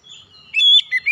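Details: Brief loud phrase from an untrained oriental magpie-robin: a soft lead-in, then a long bright whistle followed by two short slurred notes.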